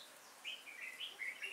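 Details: Red-whiskered bulbul kept as a trapping decoy, singing on 5 October 2018; a brief run of four or five warbled, swooping notes follows a quiet start.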